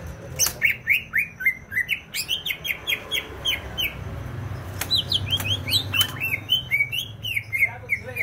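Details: [6, 'Greater green leafbird in Banyuwangi, East Java, singing energetically: rapid repeated whistled notes that sweep down, in bursts across eight seconds, with occasional clicks and knocks.']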